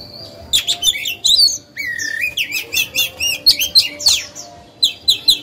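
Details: Lure oriental magpie-robin singing to spark song in other birds: loud clustered chirps, a sliding rising whistle, then a quick rhythmic series of bright notes, a short pause, and more crisp chirping phrases.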